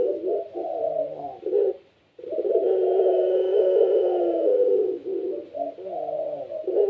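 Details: Pelung-style Barbary dove, a kept bird singing energetically to prompt other doves to coo along: long, rolling low coos with a wavering, burbling quality, broken by a brief pause near two seconds, then a sustained phrase.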